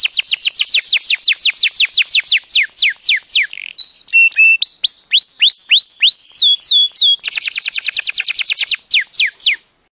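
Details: Belgian canary song used as a tutor recording for young canaries: clean, clear rapid series of sharp descending whistled notes, shifting to slower swooping phrases, lower steady notes, then a fast dense buzzy trill and final sweeps.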